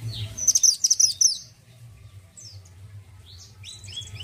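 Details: Orange-headed thrush of a mountain type, singing steadily with a characterful voice: a quick burst of very high, sharp whistled notes repeated about six times in under a second, then fainter high sliding phrases, over a low steady hum.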